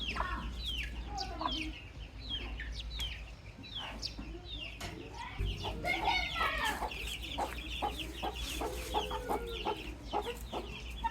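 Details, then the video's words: Baby chicks giving a long run of high, falling peeps, sparse at first, then denser, with some drawn-out, warbled notes later, over constant low background rumble. "Nature Audio Featuring Cute Little Baby Chicks"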